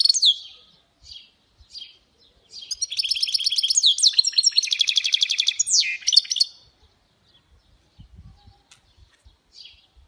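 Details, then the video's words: Goldfinch mule in song, opening with sharp high chirps before a long, loud, rapid stretch of buzzy trills and sweeping whistles, then fading to scattered quiet notes and faint clicks. "تغريد خلوي بصوت هجين الحسون Chant mulet Chardonneret"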